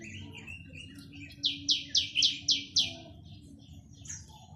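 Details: Chinese hwamei: soft warbling, then six loud, ringing rising notes in quick, even succession, and a last high whistle after a short gap, over a steady low hum.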